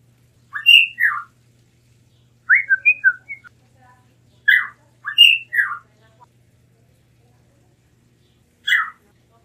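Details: Blue mockingbird giving short groups of two or three slurred, whistled notes separated by pauses of a second or more, with a faint low hum throughout.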